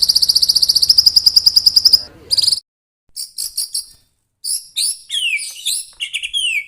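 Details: White-rumped shama song, used to get other shamas singing: opens with a long, fast, high metallic trill, then short gaps and scattered sharp, sliding whistled notes and chattering bursts.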